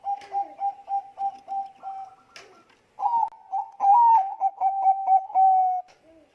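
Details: Bangkok zebra dove lure song to prompt other doves to sing: a row of even, soft coos, a short break, then louder rolling, warbling coos ending in a long level note.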